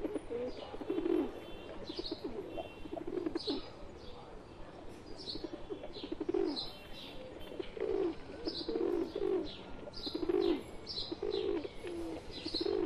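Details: Pigeons in India, a pet pigeon mixed in among wild ones, giving low throaty coos repeated through the recording, with high thin chirps from other birds above and soft rustling in between.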